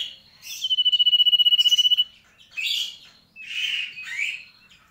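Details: Sooty-headed bulbul in lively gacor song: a steady, rapid pulsed trill for over a second, then two bursts of harsh, buzzy chattering notes separated by short gaps.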